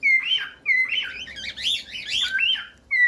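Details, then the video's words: Cockatiel song aimed at training a pet bird: level whistled notes that bend upward, followed by a quick jumble of warbling chirps, ending on another whistle. "15 MINUTOS DE CANTOS DE CALOPSITA"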